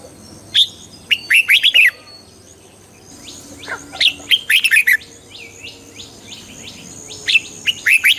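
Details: Song of the red-whiskered bulbul, played to excite listening birds: repeated chattering phrases of fast, bouncy whistled notes, with softer downslurred notes between bursts and a faint steady high hum behind.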